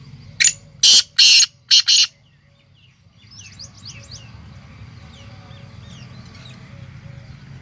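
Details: A black francolin calling in Pakistan gives a loud, harsh phrase of five grating, rasping notes, with small birds chirping faintly afterward.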